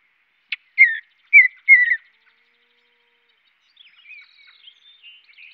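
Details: Mountain bluebird giving chirps: a brief click, then three loud, soft-edged whistled notes falling in pitch about half a second apart, a pause, then quieter warbled twitters and thin whistles.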